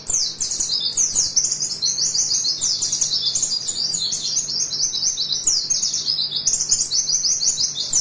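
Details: Rapid 'nembak' tutor song of an oriental white-eye for training birds: unbroken stream of high, quick chirps and slurred sweeps, bright and busy throughout, faint steady hum in the background.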